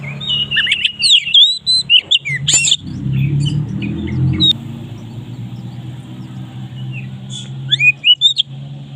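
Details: Oriental magpie-robin (kacer maret) in loud song used as a lure: rapid whistled and chipping phrases at the start, then a pause filled with low rumbling noise, then a few rising whistles near the end.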